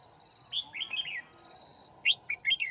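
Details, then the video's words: Red-whiskered bulbul singing as a trapping decoy, 9 February 2019: a bright, bubbling phrase of slurred whistled notes, a pause, then a sharp upward note leading into a quick warbled flourish. "Bẫy chào mào Bổi 01 Kim bôi -HB cánh ruồi ngày 9/2/2019 phần 1"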